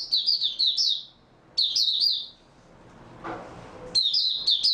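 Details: Oriental white-eye singing at the start of its song session after a good night's sleep: bursts of high, rapid, sweet twittering warble separated by short pauses, with a brief rustling noise in the middle.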